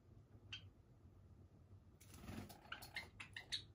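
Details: Java sparrows, part of a flock of over 30 kept free-flying in a room, give a few short, high chips, one alone and then a quick cluster of sharp notes, against a quiet indoor hum.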